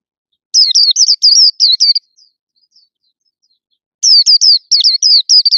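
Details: Loud song from a caged white-eye: two dense runs of high, rapid, down-slurred chirping notes separated by near silence, bright and full of syllables.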